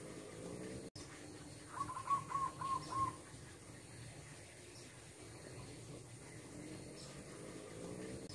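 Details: Wild zebra dove visiting a home yard gives a brief series of five mellow, level coos in quick succession, then several seconds of quiet background hiss with no further calls.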